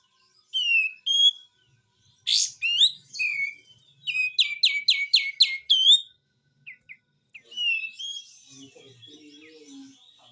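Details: Besetan-style white-eye song with high whistled phrases and a rapid series of six sharp, downslurred notes, then softer scattered chirps and a faint lower warble.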